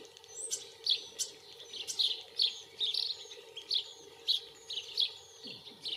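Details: Common starling singing while courting, filmed with a Panasonic Lumix camera: high whistles, clicks and scratchy bursts repeated about every half second over a steady low hum.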